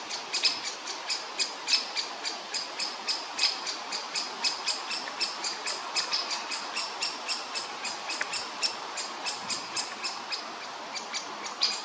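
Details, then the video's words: Woodpecker chick in the nest, close to leaving it, begging for food with harsh, buzzy, high rasps repeated about three times a second in a steady, unbroken chatter. "woodpecker chick waiting for food"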